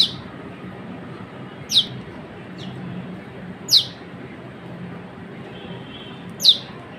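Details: A Baya weaver in Pakistan gives sharp, high chirps that slide quickly downward, spaced irregularly one to three seconds apart, over a steady low background rumble.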